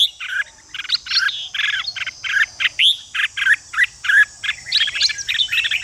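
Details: Red-whiskered bulbul chattering to stimulate other bulbuls into fighting song: dense run of short harsh buzzy bursts, several per second, with a few rising whistled notes, over a steady high-pitched hiss.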